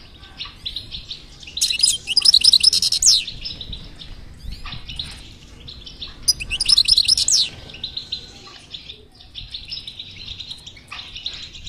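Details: Goldfinch batbata meant to prompt a non-singing goldfinch to sing: two loud bursts of rapid tinkling, buzzy twitters separated by softer, continuous chattering notes.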